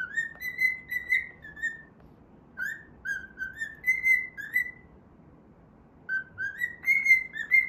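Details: A cockatiel at play whistles the Pythagora Switch opening theme in a string of clear, stepped notes. A phrase climbs, pauses, then resumes, and after a silence a final rising run follows.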